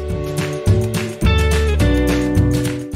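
Strummed and plucked guitar music with sustained chords, no animal calls.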